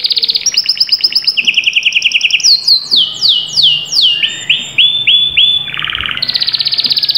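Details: Canary song played to stimulate silent canaries into singing: fast rolling trills at varying pitches, then a series of descending whistled slurs, lower buzzy rolls and a final rapid high trill.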